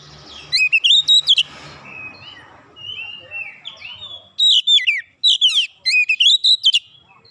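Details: Oriental magpie-robin in heated, open-beaked song: a burst of rapid whistled notes, softer slurred whistles, then two more loud clusters of sharp sweeping notes.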